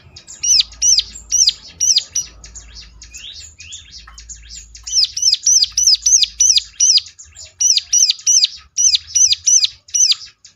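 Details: Ciblek lure song meant to provoke other ciblek into answering: long fast strings of piercing high hooked notes, a brief broken patch of softer twitters, then an extended rhythmic series again.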